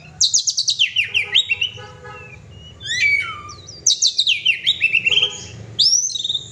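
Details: Oriental magpie-robin kept as a pet, singing loudly: rapid series of sharp descending whistled notes, a short pause, a rising sweep, then another quick cascading burst and a final upward whistle, with a low hum beneath.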